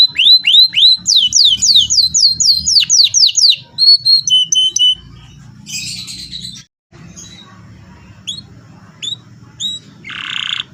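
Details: Canary lure song for training other canaries: a burst of repeated rising sweeps and fast high trills for about four seconds, followed by quieter scattered chirps and a short noisy buzz.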